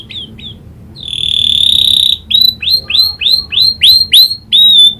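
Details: Canary singing with learned prinia clicking call: two short chirps, a sustained steady whistled tone, then a string of crisp downslurred notes, roughly three per second, ending in another held note.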